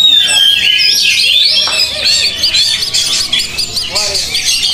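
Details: Oriental magpie-robin (kacer) out for training in the field, opening with a long sweeping whistle, then rapid repeated chipping notes, over a busy chorus of other birds and some voices.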